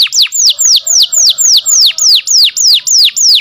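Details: A canary sings a steady, even series of bright whistled notes that sweep downward, about four each second, recorded as tutor song for canaries that no longer sing.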